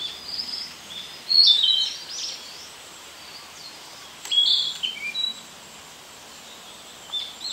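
A Narcissus flycatcher gives two brief, high, chirpy whistled phrases about three seconds apart, then a softer note, over a steady background hiss.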